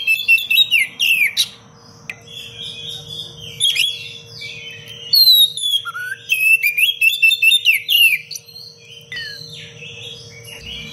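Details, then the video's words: Oriental magpie-robin pouring out a dense, varied song for training other birds: repeated bursts of quick whistled sweeps, trills and sharp chirps separated by short pauses, over a low steady hum. "Kacer gacor cengkok rapat pedas untuk masteran"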